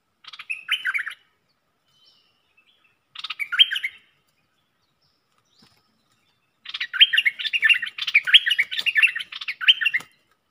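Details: Red-whiskered bulbul kept in a cage as a luring decoy: two brief liquid whistled phrases, then a longer run of rapid, jumbled chirping notes lasting several seconds.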